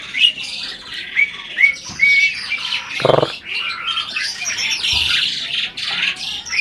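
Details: Asian pied starling, an adult breeding bird said to speak, opens with three or four short rising whistles, then slides into softer scratchy, wheezy chatter with a thud midway.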